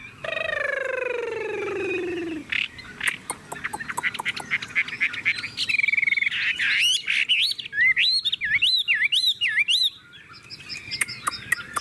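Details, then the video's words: A tame caged Chinese hwamei, singing with its cage cover opened and displaying its wings, opens with a long, harsh, falling note, then breaks into loud, fast, looping whistled phrases that sweep up and down, with scattered clicks between. "Họa mi thuần điện căng đét - Xách tay lắc lồng hót đỉnh"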